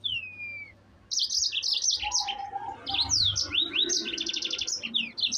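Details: Yellow-fronted canary singing hard to provoke rivals; a long falling whistle, then a pause and a rush of high rapid trills, rattling repeated notes and steep downslurred sweeps.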